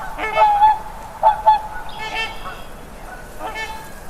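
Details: A swan gives loud nasal honks, a drawn-out note then two quick clipped calls, followed by fainter answering honks as the calling fades away.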